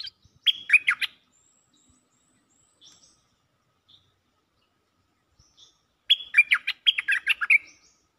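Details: Cream-vented bulbul calling for a mate, two bursts of quick, bubbly chirps five seconds apart, each around a second long, with a faint thin high whistle and soft notes between.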